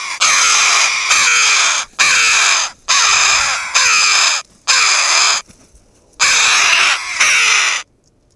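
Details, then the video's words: A flock of Red-billed choughs on Asturias' western coast, curious about the camera, erupts in loud, harsh, rasping overlapping bursts about once a second, then suddenly falls silent and keeps watching. "Chovas piquirrojas (Pyrrhocorax pyrrhocorax )arman la marimorena."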